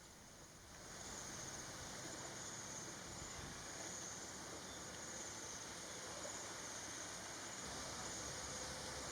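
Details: Continuous rushing water, like a stream or small waterfall, fills the recording with no animal voices.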